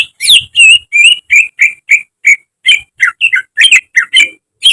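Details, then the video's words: Caged greater green leafbird delivering a mimicry-filled training song: a steady run of clear whistled and chirped notes, some sliding down, nearly three per second without break. "Masteran cucak ijo agar cepat rajin bunyi~gacor setiap hari"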